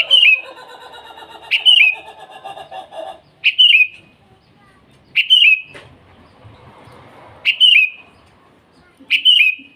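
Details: Sooty-headed bulbul in full morning song calling rivals: short, bright, slurred whistled phrases repeated roughly every two seconds, six in all, with a buzzy, rattling sound at the start and a soft murmur between phrases.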